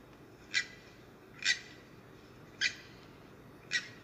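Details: Western swamphen (Porphyrio porphyrio) giving four short, harsh squawks at uneven intervals of about a second, over a steady low background hiss.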